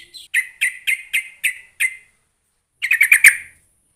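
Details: Sooty-headed bulbul call played to provoke a lazy bulbul into answering: six bright, clipped chirps at an even pace of about three per second, a pause, then a fast burst of five tumbling notes.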